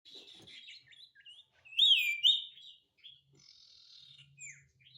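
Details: Sirtu in lively full song, used as a lure to get other birds singing: thin high chirps and short twittering notes, then a loud rising whistled phrase near the middle and a faint buzzy trill, with a low hum behind.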